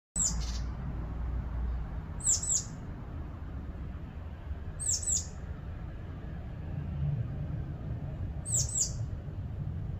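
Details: A great tit, hunting insects to feed its young and searching for a fledgling, gives four short, high, sharp double notes spaced a few seconds apart over a steady low rumble of wind or distant traffic.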